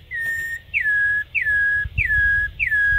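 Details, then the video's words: Campo troupial (corrupião) in Brazil, long wild song style: clear whistles, each starting high and sliding down to a long level tone, repeated about every 0.6 seconds over a low rumbling hum. "Cantos De "Corrupião" MAIS BONITOS e MELHORES"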